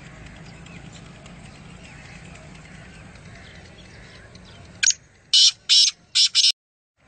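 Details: Black francolin call: after a quiet stretch of background hiss, a loud phrase of five harsh, buzzy bursts follows in quick, slightly uneven rhythm near the end.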